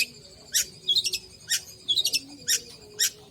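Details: Long-tailed shrike, a lively singing bird: sharp high squeaky notes about every half second, alternating single harsh chips with quick twittered triplets, a faint steady hum underneath.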